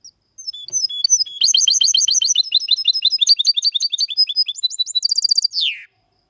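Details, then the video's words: Goldfinch and canary hybrid male in clean song used to stimulate males and teach young birds; rapid repeated high chirps and metallic trills building to a bright rattling phrase and a falling buzzy ending. "Mixto de Jilguero X canari canto Limpio para estimular y memorizar los jilgueros y Mixto / Mulet"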